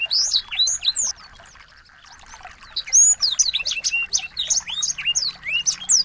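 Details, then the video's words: Tutor song of small birds for a white-rumped shama: a few high sweeping whistles, a second or so of near quiet, then a lively run of rapid, overlapping chirps and slurred notes. "masteran burung kecil agar murai batu gacor"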